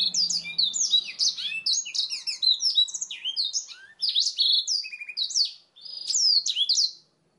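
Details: Black-throated canary singing as a master song for training canaries: a fast, high, unbroken stream of varied twitters, slurred whistles and short trills with barely a pause, a faint low hum briefly at the start.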